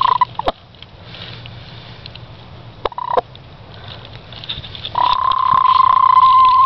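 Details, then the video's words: A Speckled Sussex hen on her nest gives a few brief, soft trilled notes, then a long, steady purring croon at mid pitch lasting nearly two seconds. "Hen making purring noise while nesting!"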